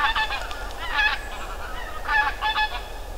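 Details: Flock of geese flying past at the Ptasi Raj reserve in late autumn: overlapping nasal honks in quick bursts from several birds, in three or four clusters over three seconds.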